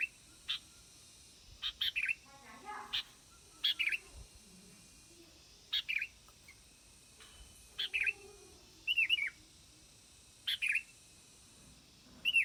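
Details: Sooty-headed bulbul repeating short, bright chirping phrases about every two seconds, each a quick cluster of clear notes, with soft low sounds in between.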